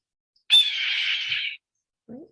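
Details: Red-tailed Hawk: single long, hoarse, shrill "kee-r" scream about a second long, harsh and slightly falling, followed by a brief faint low sound.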